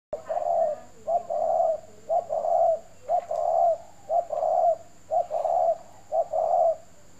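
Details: Spotted dove (chim cu gáy) from a dove-keeping garden in Ba Vì district, Hanoi, Vietnam; deep mellow coos in short two-part phrases, about one per second, steady and rhythmic, with faint background hum.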